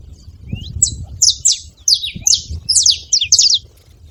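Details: Saffron finches noisy together, giving scattered high downslurred chirps, sparse at first then clustering into quick doubled notes, with low background murmur.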